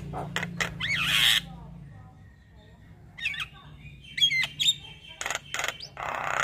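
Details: Javan myna, a white-eyed bird singing actively with a full repertoire of inserted phrases while nodding: harsh rasping squawks and sharp clicks, then a pause and bright whistled notes, over a low steady hum.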